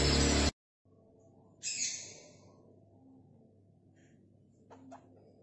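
A single harsh, grating parakeet squawk that fades off, followed by a couple of faint chirps over low room hum, after a loud opening thump.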